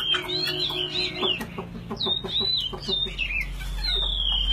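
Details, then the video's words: Caged Chinese hwamei fighting bird singing while its cage is handled: bright looping whistles and rising-falling slurs over a run of sharp knocks and clicks, with low rumbling background noise. "Chim thuần 200%,Sách tay lắc lồng hót hét mọi địa hình,Chim đấu tốt"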